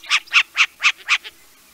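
Short-eared owl giving five harsh, raspy barks in quick succession, about four per second, with a fainter sixth note trailing off.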